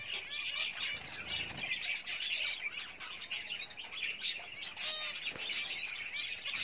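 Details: Pet Java sparrows building a nest for breeding give a steady stream of short, high chipping and twittering notes, overlapping as several birds call at once, with a faint low rustle early on.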